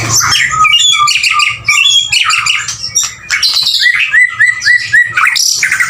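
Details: Male white-rumped shama singing: clear level whistles under high chatter, then a quick series of four or five similar rising slurred notes, with scattered sharp high chips throughout.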